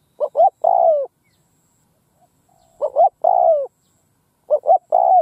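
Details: Caged decoy spotted dove cooing in an open field in Vietnam, luring wild doves: three phrases, each two brief coos then a longer slurred falling coo, roughly every two seconds.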